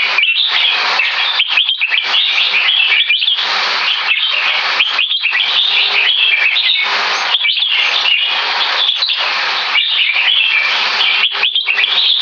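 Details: Competition red-whiskered bulbul, around three years two months old, Butir Top 3 status, in high-speed keke and butir song: a nonstop stream of loud, scratchy chatter and piercing whistled notes, dipping only briefly between phrases.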